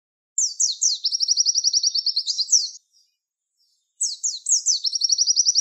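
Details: Tutor song of a Javan white-eye, 'tembakan wit wit' style, for training songbirds: very high descending slurred notes leading into fast, even trilled series of chirps, two bouts divided by a short silence, clean with no background sounds.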